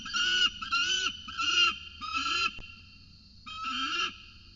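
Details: Peregrine falcons at the nest with a cicada as prey, recorded in the evening: a series of drawn-out, wailing, nasal calls about half a second long, repeated roughly every half second, then a pause and one more call.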